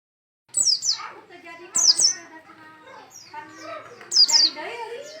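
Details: Oriental white-eye (pleci) in full, energetic song: bursts of high, thin, rapidly descending whistled notes at about one- to two-second intervals, with softer lower chattering and warbling filling the gaps.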